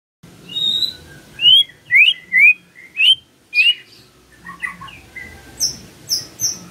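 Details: White-rumped shama morning lure song: loud, spaced, bright upslurred whistles about every half second, then softer and higher notes, over steady low background noise.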